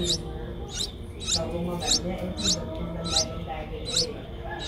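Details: Eight-day-old Streak-eared Bulbul nestlings in Ubon Ratchathani, Thailand, recorded 10 April 2023; thin high squeaky notes repeated steadily about every 0.6 seconds over a low rumbling background.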